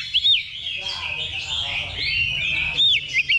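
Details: Oriental magpie-robin at a level-2 contest simulation used as training before competition; loud arched whistles at start and end bracket a busy stretch of warbled notes, with background chirping from other birds.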